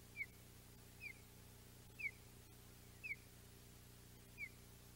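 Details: Wild osprey pair meeting in the morning at the Audubon Boathouse nest on 2 August 2021: five short, high, downslurred whistled chirps, about one per second, faint above a steady low mechanical hum.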